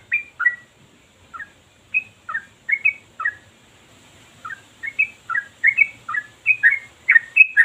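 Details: Sooty-headed bulbul singing ropel, its long unbroken song style. Clear fluty two-part whistles in spaced pairs, a gap mid-way, then a faster burst of bright warbles; faint low background hum beneath.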